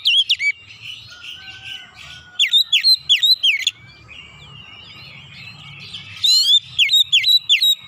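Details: Oriental magpie-robin in 'nembak' singing, unloading its repertoire: loud clusters of sharp down-and-up whistled notes alternating with quieter chattering and thin trills between bursts.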